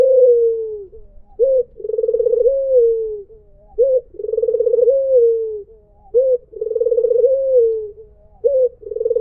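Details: Repeated mpuk jeruuu of a white Barbary dove: each phrase opens with a quick clipped note, then swells into a long, throbbing coo that gently descends. Four phrases arrive at steady intervals of about two and a half seconds.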